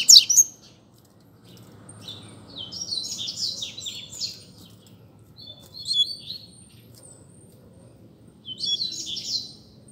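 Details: Double-collared seedeater, called coleiro, competing in song with another bird: separate short phrases of high, buzzy, twittering notes with quiet gaps between them and a faint low background hum.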